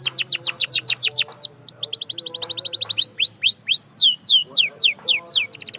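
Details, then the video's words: Canary song meant to encourage silent canaries to sing, mixing rapid chip trills, a brief buzzy roll and loud slow swooping whistles repeated about twice a second. "Silent Canaries? Not Anymore! This Sound Brings Them Back to Life"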